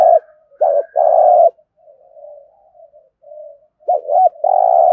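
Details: A spotted dove in Đồng Nai gives competition coos. Phrases of short hooked notes lead into long, loud, buzzy coos at the start and end, with faint, low murmuring coos in the middle.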